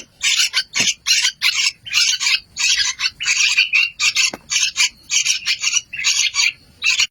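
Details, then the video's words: Yellow-vented bulbul chicks give harsh, raspy, high-pitched bursts, about two per second, in a steady, insistent run. "sound of baby trucukan birds"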